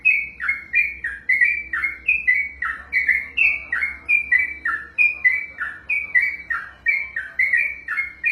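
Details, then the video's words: Long unbroken sequence of a sooty-headed bulbul singing: rhythmic, repeated down-slurred whistles, each sliding lower, about two to three notes a second, with faint low hum beneath. "ROPELAN BURUNG TRUCUKAN TERPANJANG DALAM SEJARAH"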